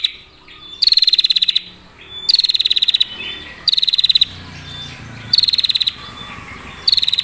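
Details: Clear, long-trilling female prinia meant to provoke other prinias, repeating short dry rattling bursts of rapid high ticks about every one and a half seconds, with quiet low rumbling between bursts.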